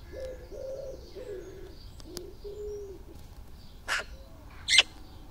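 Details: Early morning, 17/07/2018: two magpies in a yard murmur softly before attacking a microphone. Wavering low cooing phrases come first, then a pause and two loud scratchy taps.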